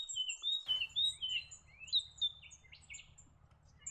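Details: Leaden flycatcher delivering a rapid, chattering series of high, sweeping whistled notes, some slurred upward, several per second, over a low steady hum. A knock is heard near the start.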